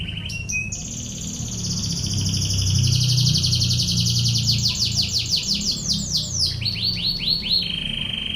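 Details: Canary master song in the rapid-fire 'tembakan ngebren' drilling style: a few opening chips, then long, fast, high buzzing trills that shift pitch and end in rolling sweeps, over a low rumbling background hum.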